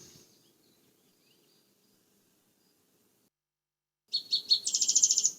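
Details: A Spotted Towhee in the American Southwest sings from the tops of pine trees after a long quiet stretch: three quick, high notes, then a fast, dry, buzzy trill.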